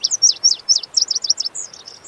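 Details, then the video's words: Melodic song of a Lazuli bunting, a western North American bird: a rapid run of high, sharp downslurred chirps, about a dozen notes in two seconds, ending in thinner, level whistled notes. "The Melodic Song of the Lazuli Bunting"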